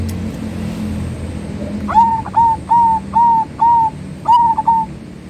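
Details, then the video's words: Perkutut, the zebra dove, manggung singing: after faint background noise, a sharp start into six drawn-out, level cooing notes, the last split into quick doubled coos. "Suara Burung Perkutut Manggung || Zebra Dove"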